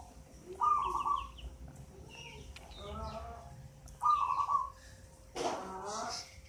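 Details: An eight-month-old local zebra dove, taken from a nest in a mango tree and already singing often, gives two trilled, vibrating coos a few seconds apart, with voices and other noises around it.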